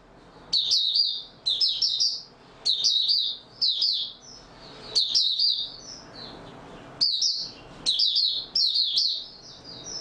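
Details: Oriental white-eye kept as a songbird, singing steadily: bright high-pitched twittering phrases of fast slurred notes, repeated about every second with short gaps between.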